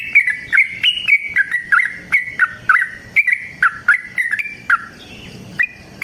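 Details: Rapid fighting song of a yellow-vented bulbul, used to make other bulbuls sing; a burst of bubbly, warbling notes that thins out toward the end into a few scattered chirps.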